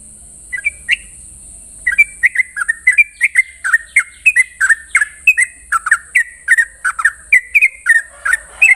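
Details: Sooty-headed bulbul's morning 'ropel' song: after a few scattered opening notes comes a fast run of clear, bubbly whistled phrases, each note bending up or down, repeated several times a second against a constant high-pitched hiss.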